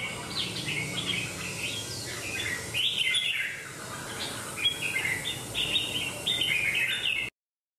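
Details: Competing red-whiskered bulbul, a wild-caught bird puffed and flared during a fighting bout, delivers short bursts of clear, bubbly whistled phrases, a brief pause midway, then rapid repeated chirpy phrases before an abrupt end.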